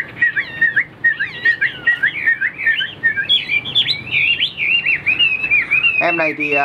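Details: A tame, newly arrived Chinese hwamei sings solo, with a female kept far away. It pours out a loud, fast song of varied, slurred whistles and trills, and a man's voice cuts in briefly at the end.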